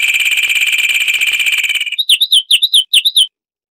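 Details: High, ringing Zapata wren song from Cuba: a steady rapid trill for about two seconds, then roughly six hooked, whistled notes in quick succession before silence.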